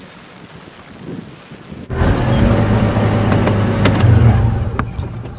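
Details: Quiet wind at first, then a vehicle engine starts up and rumbles loudly, with a few knocks and clicks, and no animal calls heard.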